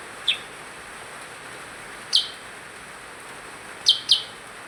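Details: Lively percang bird: single high, sharp chirps at irregular intervals, ending with a quick close pair, over low constant hiss.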